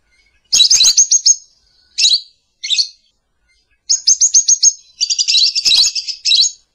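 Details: Calling lovebird giving short rapid shrill trills, two brief harsh squawks, then longer buzzy chattering bursts near the end, with a few soft clicks in the background.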